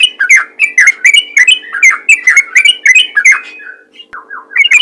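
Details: Yellow-vented bulbul calling to other bulbuls in the 'ropel ngalas' style: quick chattering chirps repeated about three times a second, then a brief pause and a couple of lower slurred notes before the chatter resumes.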